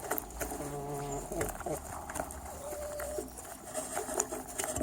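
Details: Chickens feeding, with rapid irregular pecking taps mixed with low droning tonal clucks and murmurs, plus light background hiss.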